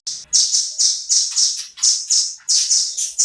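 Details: Rapid series of shrill, high chip notes from a velvet-fronted nuthatch, a bird used as a tutor song for shamas, delivered about three per second with a steady, insistent rhythm.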